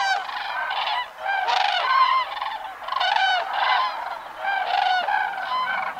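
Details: Cranes on migration, heard calling while flying overhead: many birds trade loud, rolling, bugle-like calls in overlapping bursts roughly every second or two.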